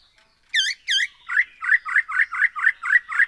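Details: Black-throated laughingthrush, used as a singing lure: two loud arched whistles followed by a fast, even train of about nine short slurred notes, each repeated roughly every quarter second.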